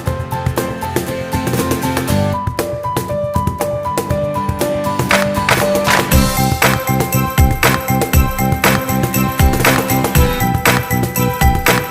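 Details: Rhythmic music with steady percussion and a repeated melody is heard, with no animal sound.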